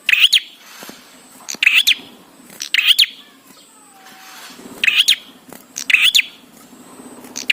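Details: Song of the bar-winged prinia, used to stimulate prinias to sing: bright, sharp chirped phrases repeated roughly every second, with a brief pause in the middle and a faint low hum underneath.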